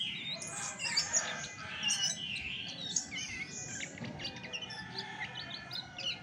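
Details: Chestnut-backed thrush (Geokichla dohertyi) pouring out a fast, varied warble of high chirps, slurred whistles and trills with hardly a break, a faint steady high hum beneath.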